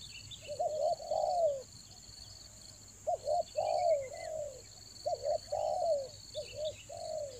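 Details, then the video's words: Spotted dove luring call for the rainy season: several stuttering coo phrases, each a few short notes closing with a drawn-out falling coo, over a steady shrill hum and a brief high chirping bird. "TEKUKUR PIKAT RAJA ANGGUK"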